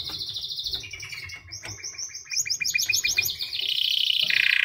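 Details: White canary singing: high rapid trills give way to a series of quick repeated rising notes, then a dense, bright rolling trill; faint low background rumble throughout.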